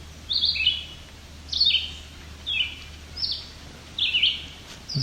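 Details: A family of at least five White-breasted Nuthatches near Cape Chin North, Ontario, Canada, on July 17, 2019, with the young seemingly fed by parents. Bright, quick, falling double notes repeat roughly every second above a faint low drone.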